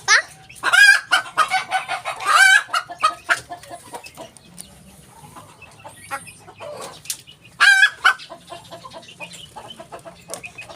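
A Ko Shamo hen gives loud, harsh squawking calls in bursts with short clucks between, a strong burst near the start and another near the end.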